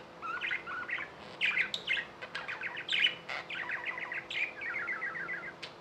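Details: Pet budgerigars, tame birds from India, chattering in fast runs of short chirps, with a quick falling series of notes at the close and a few sharp clicks.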